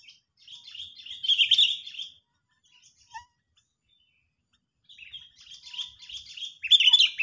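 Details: Sooty-headed bulbul in an angry, agitated state, used as a lure for trapping: two bursts of harsh, chattering high notes separated by a short pause and a brief faint note, with a louder, sharper burst at the end.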